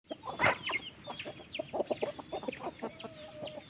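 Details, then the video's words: Flock of farm chickens at afternoon feeding time on 15 August: dense overlapping clucks and short high chirps, one loud burst of clucking near the start, then steady busy chatter. "wild chicken farm feed them in the afternoon"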